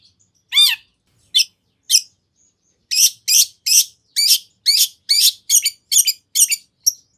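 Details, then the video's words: Long-tailed shrike, played to lure another shrike into answering, opening with one harsh, arching squawk and a few sparse notes, then a quick run of loud, sharp, high chirps about two per second. "Kicau Cendet Gacor Full Isian Nagen! Ampuh Dijadikan Pancingan Agar Cendet Langsung Nyaut"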